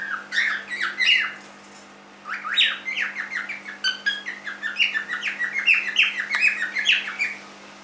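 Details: Young cockatiel, three months old, kept as a pet, calling in rapid, scratchy chirps that rise and fall, a brief run, a two-second break, then a dense unbroken chatter of repeated squawky notes over a faint constant hum.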